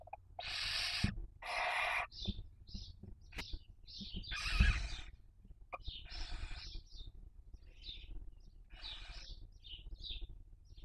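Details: Barn owl raising young, filmed by nest webcam in Spain's Cabañeros National Park in the 2023 breeding season; two strong rasping screeches open, followed by many short high squeaks and shorter hisses scattered across the recording.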